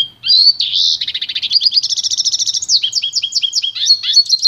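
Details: Pintagol, a goldfinch and canary hybrid, singing for song training: a rapid run of trilled, twittering notes high in pitch, shifting between fast buzzy rattles and sharper repeated chirps, with a faint low hum beneath.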